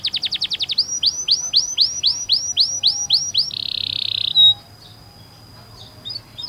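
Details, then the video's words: Canary tutor song: a quick rattle of short notes, about ten rolling downslurred whistles, then a dense buzzy trill before the singing stops. "MASTERAN KENARI UNTUK SI PAUD"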